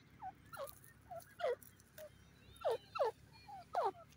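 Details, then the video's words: Grey francolin calling: loud harsh descending notes in bursts, several sharp calls repeated about every half second to a second, with softer short notes between and light background noise. "irani teeter ke awaz,grey partridge ki boli"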